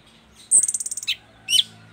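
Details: Caged orange-headed thrush from East Nusa Tenggara, singing freely: a quick series of about ten sharp, very high clipped notes, then a short pause and one bright slurred whistle.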